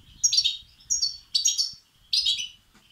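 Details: Goldfinch chicks begging, a recording intended to stimulate males; four sharp bursts of high, buzzy chattering chirps, roughly every 0.6 seconds, over faint low noise.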